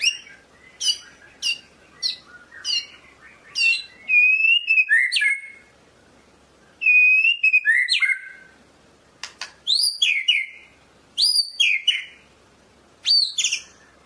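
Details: Medan white-rumped shama delivering a long varied song: high sharp notes, then trilled whistles and buzzy mixed phrases, in bursts with short pauses between.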